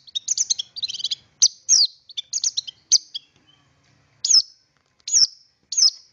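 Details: Long-tailed shrike used as a singing lure: bursts of scratchy, buzzy chatter in quick groups, followed by three separate sharp, high, harsh notes spaced about a second apart in otherwise quiet surroundings.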